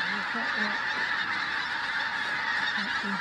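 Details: Flock of pink-footed geese at Flitcham on 5 January 2017, continuous overlapping honking, with a man's low voice breaking in several times across the short stretch.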